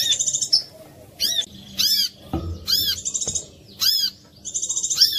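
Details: Clear lure song of a brown-throated sunbird, meant to prompt others to sing: rapid buzzy trills followed by bright, arched, very high chirps, grouped in bursts with brief gaps. A dull knock sounds midway.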